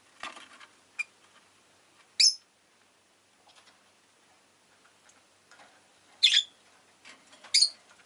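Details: Rosy-faced lovebird kept indoors giving three shrill, rasping chirps spread over several seconds, with soft scratching and rustling between calls.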